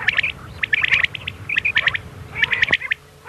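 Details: Common quail giving the 'miankan' night call used as a hunting lure in Pakistan: bursts of short, sharp, high clicking notes grouped in quick clusters about once a second, with a steady faint hum underneath.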